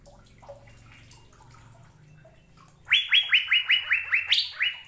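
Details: Asian fairy-bluebird training recording for caged birds. Nearly three seconds of faint background sound come first. Then a burst of rapid rising whistles follows, each note sliding up and leveling, with one higher note near the end.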